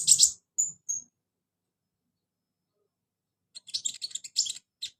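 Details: Kolibri ninja, the olive-backed sunbird, offered as a prompt for a reluctant caged singer: a sharp burst and two thin high whistles, a pause of silence, then a quick scratchy run of tinny chirps.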